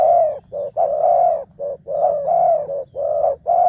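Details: Decoy spotted dove used to lure wild doves, calling in the deep, big-voiced coo-ang-kham style: low, mellow coos in short and drawn-out notes grouped into steady repeated phrases.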